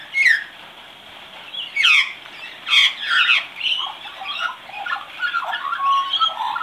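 A young magpie warbles a rambling practice song: a few loud squeaky bursts in the first three seconds, then softer, jumbled chirps and whistles.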